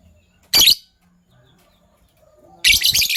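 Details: Morning chirping from Sky Blue Opaline and Green Opaline lovebirds: one sharp, grating shriek, a pause of about two seconds with faint background, then a longer rasping double screech.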